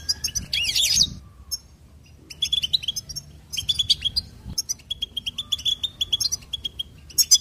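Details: Goldfinch giving twittering song phrases of rapid high chirps and trills, opening with a short harsh burst, followed by a quiet pause and then steady runs of tinkling notes.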